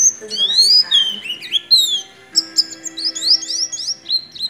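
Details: Oriental white-eye performing nagen ngecrok song with white-rumped shama imitation, varied high whistles sliding up and down, a brief pause, then a rapid series of short repeated chirping notes.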